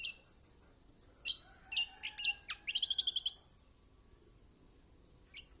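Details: Kecial kombok tutor song for encouraging lazy birds: several sharp descending high chirps in quick succession, then a steady trill of about ten buzzy notes, a pause, and one isolated chirp at the end.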